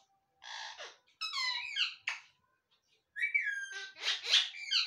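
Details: Ringneck parrot talking indoors: several short, raspy, speech-like syllables and harmonic squeaky phrases, with a brief whistle, separated by short pauses.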